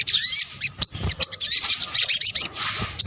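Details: A combination of sunbird calls, the local sogok ontong, used as a lure: quick, shrill twitters and thin upswept whistles in tight bursts, plus a couple of faint clicks.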